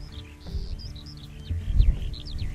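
Eurasian skylark singing a fast, unbroken stream of high, twittering and trilling notes over a low rumble and faint background music.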